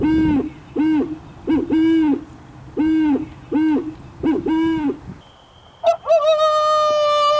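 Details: Owl hoots played back for skunk research: seven low, even hoots, each rising slightly and falling at the end, spaced over five seconds. A steady electronic tone and a sharp, rising whistle follow.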